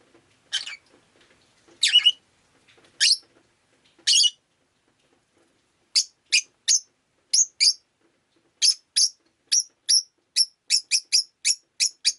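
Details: Pet rosy-faced lovebird on a rainy day: four harsh chirps a second apart, then a fast run of about eighteen short, thin, whistled chips repeated at quickening pace.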